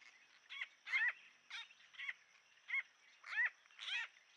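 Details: A gang of Racket-tailed Treepies calling at a forest pool in Huai Khayeng Nature Park, Kanchanaburi, Thailand, in March, caught by a trail camera: harsh, ringing notes with downward-bending tails, about seven in four seconds at uneven spacing, over a faint steady hiss.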